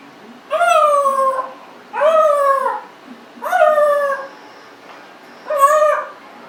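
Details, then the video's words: Four long, harmonic, whine-like cries from a pet Congo African grey parrot, aged 1.5 years, each arching slightly then falling, repeated roughly every one and a half seconds against faint background hiss. "Abaddon talking, burping, lots of vocalizing."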